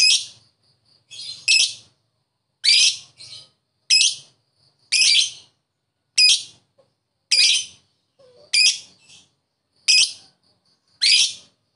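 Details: Ngetik-style lovebird used as a lure to get silent lovebirds to reply: harsh, piercing single chirps repeated roughly every second, with faint thin notes between them and a quiet background.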